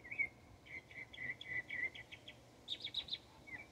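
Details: Texas Northern mockingbird singing a varied run of phrases: a sliding whistle, then a rapid string of repeated chirps, followed by a burst of higher buzzy notes and a final slurred whistle.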